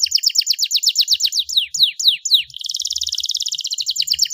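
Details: Champion Starblue panda canary singing: a run of falling slurred whistles, a few spaced downward sweeps, then a fast buzzy high trill held to the end.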